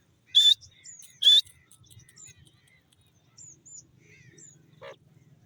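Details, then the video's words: Two loud, harsh, ringing grey francolin notes open the recording close together, then fainter thin high chirps and a short low note follow over a steady quiet rumble. "grey francolin bird,jungle teetar sounds,dasi teetar ke awaaz"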